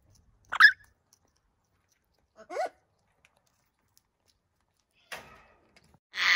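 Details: Captive African grey parrot from a pair kept in Germany: short, sparse calls, a sharp harmonic chirp, then a falling squiggly whistle about two seconds later, and a harsh broadband rasp at the end, with quiet gaps between.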